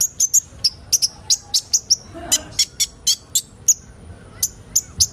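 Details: Sunbird known as kolibri ninja, in a recording for getting young birds to sing: a steady string of sharp, very high chirps about three per second, with a short gap midway and a faint rustle.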